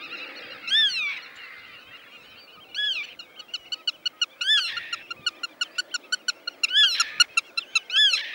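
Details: Black-tailed godwit, a migratory meadow bird breeding in the Dutch polder landscape: loud arched, nasal call notes repeat every couple of seconds over a steady series of rapid sharp ticks, with a faint background hiss.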